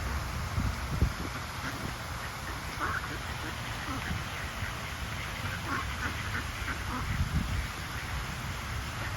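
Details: Wild Mallard ducks socialising by the water: short nasal quacks scattered irregularly through the clip, some in quick pairs, over a steady low rumble of background noise.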